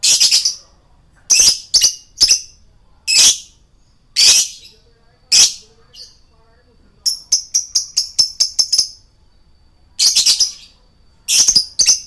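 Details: Male lovebird chattering as a lure for other birds: loud harsh screeches mixed with rapid clusters of thin, high clicking chirps, repeated in bursts with short gaps.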